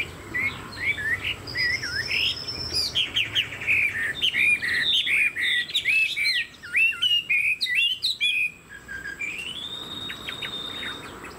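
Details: Captive Chinese hwamei pours out a long, varied song: loud whistled phrases, rising and falling slurs and rapid rolling notes in quick succession, ending with a sustained high whistle and soft ticks.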